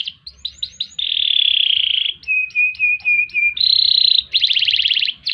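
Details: Singing canary delivering quick rising notes, a long sustained whistle, a series of short lower whistles, another held tone, then a rapid buzzy rattle.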